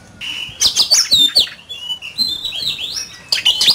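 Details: Oriental magpie-robin duelling in song, a burst of quick sharp notes followed by a run of sweet, wavering whistles, then a fresh harsh chattering phrase at the end.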